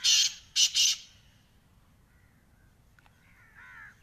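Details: Black francolin, known locally as kala teetar, giving three rasping, broad noisy notes in rapid succession, followed by faint distant cawing calls.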